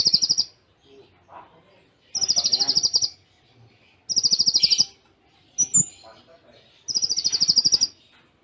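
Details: Kolibri ninja master song, full tembakan cililin with tight pauses: four bursts of dense, fast, high-pitched trilling about a second long, spaced two seconds apart, with a thin whistle and a click between them.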